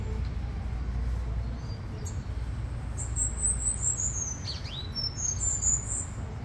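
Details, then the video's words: Cuban grassquit (tomeguín) singing the full negrito-style song in Miami, USA, 2022: high thin buzzy trills and short descending whistled notes, over a steady low hum of background noise. "TOMEGUIN CANTA NEGRITO COMPLETO"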